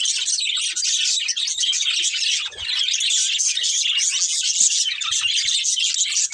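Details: Breeding pair of budgerigars warbling nonstop, a dense, even stream of buzzy, twittering high chirps with a few faint taps below.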